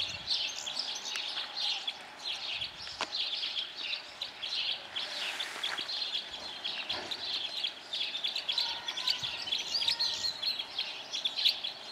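Red crossbills keep up a dense, overlapping chatter of high, sharp chip notes, as from a calling flock; a brief rushing noise passes midway.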